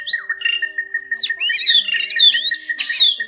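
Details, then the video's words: Drongo calls played to draw birds into nets: a dense run of squeaky, slurred whistles and harsh notes over a continuous steady whistle-like tone. "Tiếng Bẫy Bắt Tấc các loại chèo bẻo , chèo bẻo rừng , chèo bẻo đen , đuôi cá chèo bẻo"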